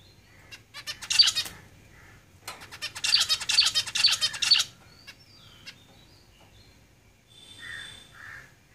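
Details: Caged zebra finches make buzzy, rattling bursts of rapid pulses, one near one second and a longer run from about three to five seconds, followed by quieter soft tones.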